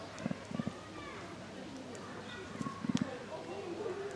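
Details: A female emu at Tama Zoo, Japan, recorded in January 2023 (male and female calls differ), gives deep, hollow drumming pulses like a light drum, in two short bursts of three to four thumps about two seconds apart, over faint murmur.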